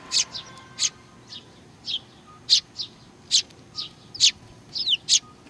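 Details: Sparrows gathering to be fed at Tenmangu, Nakanoshima, 21 June 2020: a group of birds giving short high chirps at an irregular pace, some slurred downward, over faint background hum.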